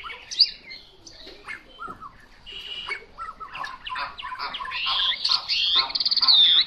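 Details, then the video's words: Chinese hwamei delivering scattered, varied phrases that build into loud, rapid, rising and falling whistled trills toward the end. "Họa mi mộc"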